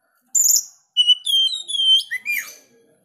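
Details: Sharp-voiced, vigorous song of an Oriental magpie-robin: a high buzzy burst, then a run of clear ringing whistles at several pitches, ending with a quick rising-and-falling slurred note.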